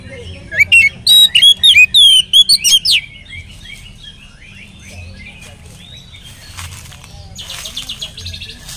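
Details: Oriental magpie-robin in full lure song meant to start other magpie-robins singing: about two seconds of quick, loud zigzag whistles and chirps, then faint distant twittering and a buzzy trill against a low hum.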